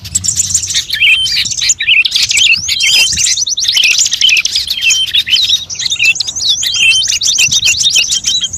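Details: Lure audio said to gather the voices of all kinds of birds, including cucak ijo, kutilang and jalak; nonstop shrill twittering with fast buzzy trills and looping whistled phrases, dipping briefly near three seconds.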